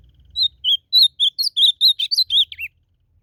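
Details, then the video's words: Ultramarine grosbeak (azulão) singing in the wild in a song contest: a quick phrase of clear whistled notes, some slurred and rising, ending in a lower downward twist, with faint low rumble underneath. "Azulão disputando canto na natureza"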